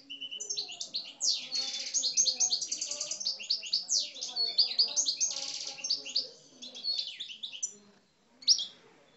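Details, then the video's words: Aggressive coupleur song from kept Algerian parva European goldfinches: long, loud run of fast twitters, ringing trills and buzzy rattles, then a pause and one sharp closing note. "Mes Chardonnerets Parva Algeriens Coupleurs, Agressif"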